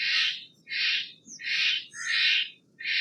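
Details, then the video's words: A Steller's jay gives loud, harsh, rasping screams, about half a second each and repeated roughly every three-quarters of a second, over a low background hum. "Steller's jay Sound - Stellar's Jay Singing - Stellar Jay Scream - Stellar Jay Mating Call"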